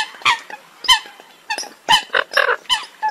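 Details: Eurasian coot calls from a recording made abroad: short, sharp nasal notes with bright harmonics, given in quick bursts by several birds, with gaps of quieter chatter between them.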